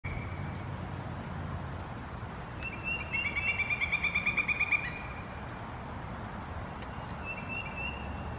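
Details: Pileated Woodpecker by a bluebird nest box on Hilton Head Island, South Carolina, gives a loud, ringing series of about a dozen quick, even notes lasting nearly two seconds, over steady low rumble and brief thin whistles.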